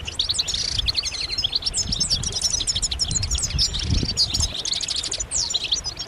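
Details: Chorus of European goldfinches in mating and readiness calls that push males to sing, a nonstop tangle of quick high trills and twittering notes over soft low background rumble.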